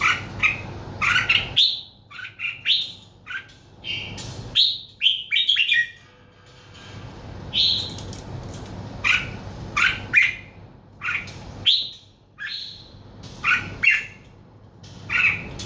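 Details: A lively run of separate chirps and short whistled phrases, some sweeping sharply downward, delivered in irregular bursts with short silences between, over a soft continuous low hum.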